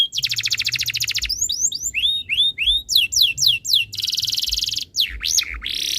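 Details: Canary song used as a tutor to make other canaries sing. An opening fast trill gives way to rising then falling whistled slurs, another dense trill, and a few deep-swooping whistles at the close.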